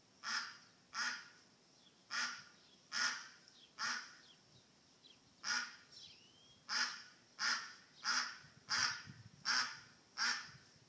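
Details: Calls of a lost duck: a long run of about thirteen strident, raspy quacks repeated at a fairly steady pace, nearly one per second.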